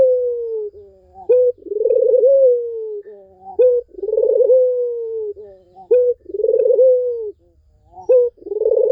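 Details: Barbary dove in a recording meant to coax a dove that has gone silent into singing: a short clipped note followed by a long, throbbing, trilled coo that slowly falls, the phrase repeating about every two to three seconds, steady and clear.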